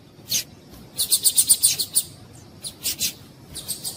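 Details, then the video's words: Female Double-collared Seedeater (Sporophila caerulescens) call, used to stimulate males to sing: thin, high chirps, a quick run of about seven notes, then a few spaced single chirps. "Piado de Fêmea de Papa capim para Esquentar Papa capim"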